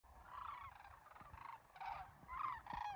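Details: Sandhill cranes flying over Muleshoe National Wildlife Refuge on a crisp December morning: overlapping rolling, rattling bugles from several birds, rising and falling in bursts about every half second, over low rumbling wind.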